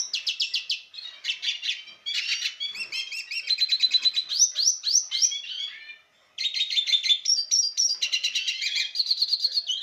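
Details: Lesser goldfinch, subspecies jouyi, a breeding male courting a female, pours out a varied, sustained twittering song of chattering bursts, rising slurred notes and fast repeated trills, with one brief pause.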